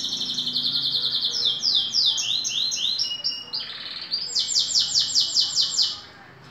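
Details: Two-year-old green canary in moult sings loud, fast repeated descending syllables in shifting trilled phrases, ending in a bright rapid rolling series.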